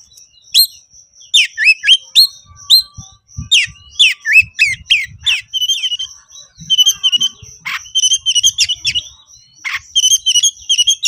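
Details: Oriental magpie-robin, a konslet-style kacer worked up and challenging a rival to fight, delivering a dense run of sharp whistles, harsh squawky notes and rapid chirps, with a steady high tone running underneath and faint low clicks.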